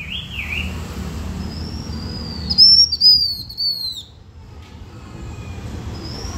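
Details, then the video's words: Blue-winged minla song used to attract birds: a brief warbled phrase, then clear high whistles repeated rapidly in a descending chain, followed by quieter pauses and a faint whistle at the end. "Khướu lục cánh xanh hót căng lửa kích mồi siêu chuẩn"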